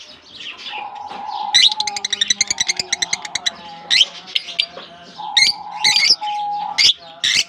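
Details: Released into a colony in German summer weather, lovebirds produce a fast rattling series of clicky notes, then shrill chirps mixed with a repeated level whistle.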